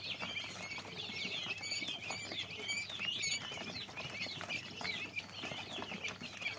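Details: A crowd of tiny quail chicks calling nonstop, their shrill short peeps and rising twitters piling over one another, with steady light rustling and tapping underneath throughout.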